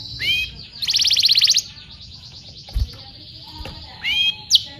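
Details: Canary song used to train young canaries: a brief whistled slur and a fast loud buzzy roll, then a near-silent pause with faint clicks, ending in a few sharp whistled notes.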